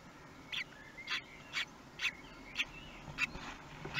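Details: At a kestrel nest in Théding, France, 24 May 2020, as the fourth chick hatched: a Common kestrel gives a quick run of about seven short, shrill, slightly rising calls, roughly two per second, against a low background hum.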